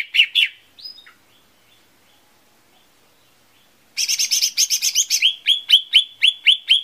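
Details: Lesser green leafbird lure song to make birds sing: two sharp chirps and a high whistle open, then silence, then a fast dense trill running into a steady series of upslurred chips about four per second.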